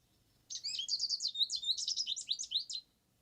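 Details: An American goldfinch (Spinus tristis) sings a rapid, jumbled song of high, sweet twitters and slurred notes, tumbling along for over two seconds with no other sounds.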